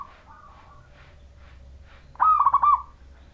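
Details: Majapahit zebra dove of local stock with a clear voice, sung as a lure for other zebra doves. A faint coo and soft scattered noises precede one loud, bubbling phrase of rapid pulsed coos.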